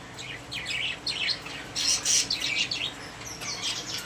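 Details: Pet budgerigars kept in a cage chatter in a busy, scratchy warble of rapid chirps and buzzy notes, several birds overlapping continuously.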